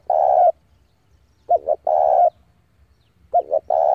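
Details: Decoy spotted dove summoning rivals to fight: a long held coo, then two phrases of two quick wavering notes each followed by a long steady coo, with quiet pauses between.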